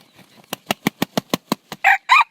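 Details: Red junglefowl about to crow: a run of about eight sharp, evenly spaced thumping beats, then the opening loud, harmonic crow syllables cut off at the end.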